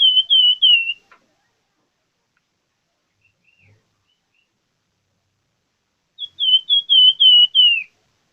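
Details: Plamboyan bird singing persistently (gacor): short phrases of fast, repeated high whistled notes, the second phrase longer and ending in a downward slur, separated by several seconds of silence.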